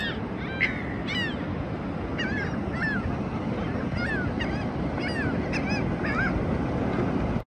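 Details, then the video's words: Seabirds heard on the ocean shore at South Padre Island, Texas, during spring break: scattered short, harsh squawks every second or so, some slightly falling, half buried under loud, continuous surf and wind noise. "Birds sound on the Ocean"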